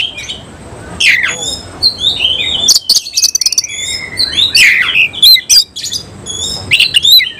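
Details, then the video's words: Oriental magpie-robin, semi-Cililin type, singing with its tail spread. Downslurred whistles give way to a fast rattling series of clicks, then bright warbled phrases return. "Kacer langsung NEMBAK NGOBRA BUKA EKOR || KACER SEMI CILILIN"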